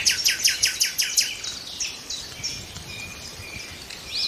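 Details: A nightingale opens with five or six loud, evenly spaced repeated notes over a second, then gives thin drawn-out whistles against a background of faint bird chatter.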